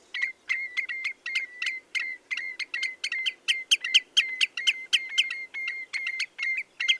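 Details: Common redshank song of quick, ringing piping notes about four per second, louder in the middle of the series, each note a sharp flick followed by a flat whistle.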